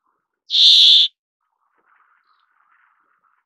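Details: A single loud, buzzy, drawn-out wheeze from a brambling lasting about half a second, followed by quiet, low chatter and the start of another call.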